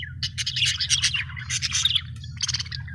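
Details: Lively budgerigar chatter from happy birds: quick, grating warbles and chirps in clustered bursts, a short lull near two seconds, then renewed clicking notes above a low hum.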